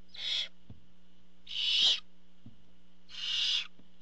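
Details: Barn owl calling at the nest when the father comes with a food item, nest camera recording. Three drawn-out, noisy hissing screeches swell and fade about every one and a half seconds, with soft clicks and a background hum.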